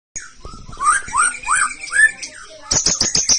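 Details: White-rumped shama from Bahorok singing in a competition setting: rising whistled notes repeated about every half second, then a fast run of sharp high clicking notes at the end.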